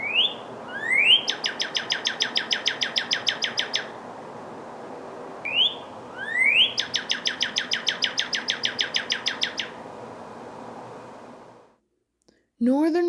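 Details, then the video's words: A Northern Cardinal in Ontario, Canada, where both sexes sing in the breeding season, sings two phrases, each opening with clear rising whistles and running into a fast, even series of repeated sharp notes over a low rumble. "both male and female cardinals sing during the breeding season their song sounds like this [Applause] [Applause] northern"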